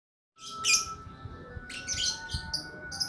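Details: Lakbet bird in a long-running song: sharp, scratchy high chirps in short bursts, a few loud harsh notes early then clusters of buzzy tweets, over a steady thin electrical hum and faint low rumble.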